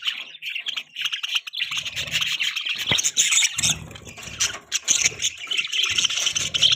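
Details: Budgerigars chattering: dense, shrill twittering and squeaky chirps run without pause, with intermittent low rasping buzzes underneath.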